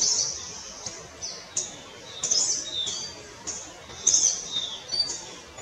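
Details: Palani laughingthrush, locally Palani Chilappan, giving thin, high, sharp notes, some slurred downward, repeated roughly every half second to second over a hissing background.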